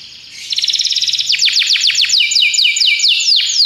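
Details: Belgian canary song for training canaries, starting with a rapid buzzy trill and moving into a long series of clear downward-slurred whistles, about four per second.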